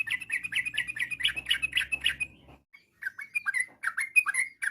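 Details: Yellow-vented bulbul song with long trills, used to get other bulbuls answering: a fast run of bubbly warbled notes over a low rumble, a brief silence, then louder, clearer downslurred notes in quick groups.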